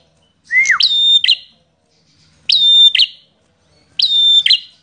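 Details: Prinia described as an agitated, aggressive fighting visitor bird, singing vigorously: three loud phrases about every 1.7 seconds, each a sliding note, then a long steady high whistle ending in buzzy chips; otherwise quiet.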